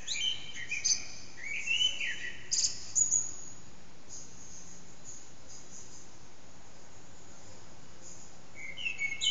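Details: Eurasian blackbird singing around 4:30am in an echoing backyard, recorded with an HTC Desire: a few warbled whistles and high squeaks in the first three seconds, then a long hushed pause before a short phrase returns.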